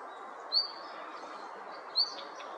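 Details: Two sharp, high, upward-slurred whistles from a red-flanked bluetail, excited as other mountain birds gather, spaced about one and a half seconds apart against a low steady hiss.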